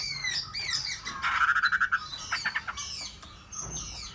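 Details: Hwamei song of bright up-and-down whistles around a quick stuttering trill of short repeated notes, ending in softer high phrases.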